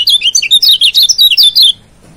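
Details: Lombok yellow white-eye (kecial kuning) master song used to provoke a rival and train birds: a rapid burst of high, sharp whistled notes, about a dozen chirps in under two seconds, then quiet.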